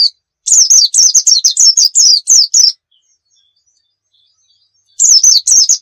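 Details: White-eye, the dakun type from Pacitan, in full 'gacor nembak' song for teaching young birds: a two-second rush of sharp, high zigzag notes, then a quiet stretch before a new burst begins.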